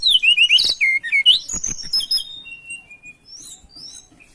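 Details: Tledekan songbird in breeding condition singing actively as a lure to seek a rival; a rapid run of high, sharp chirps and short slurred whistles, then softer, thinner whistled notes trailing off in the background.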